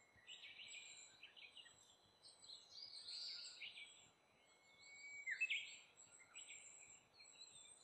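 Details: A Brown-eared bulbul coming to eat fruit gives harsh, squealing calls in bursts, with shrill high chatter and a rising screech near the end, over a steady background hiss.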